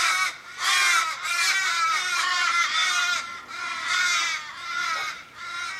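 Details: Australian ravens, fifteen or more, gathered around a dying companion in a Kellyville street, Sydney, 1 July 2012, calling in apparent mourning. Dense, overlapping nasal wails, each long and sliding downward at the end.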